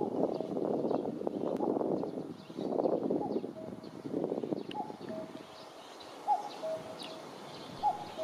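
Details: Male common cuckoo singing near a waiting female while courting her, bringing a leaf in its bill: low rumbling noise early, then three clear two-note cuck-oo phrases, the second note lower, about every one and a half seconds.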